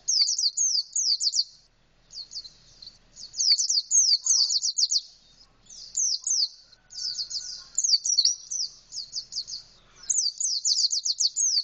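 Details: Indonesian white-eye singing in a canary-like style with a fully open beak: rapid bursts of high, thin, downward-slurred whistled notes in dense trills, four phrases separated by short pauses.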